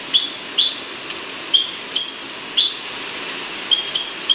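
Buff-banded rail giving short, squeaky, high notes, often paired, about eight in four seconds, over a quiet hiss.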